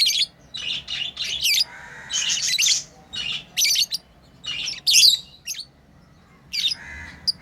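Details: Playing pet lovebirds chatter in shrill, scratchy chirps, several bursts close together, a few longer buzzy notes mixed in, then a quieter gap before a last sharp squeak.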